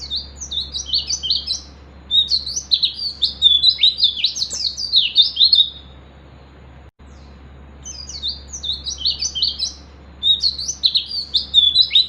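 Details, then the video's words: Oriental white-eye in the wild looking for a rival, singing to provoke rivals: a long run of quick, bright, jumbled high chirps, then two shorter twittering bursts after a short pause, with a faint low hum throughout. "pleci ngalas cari lawan"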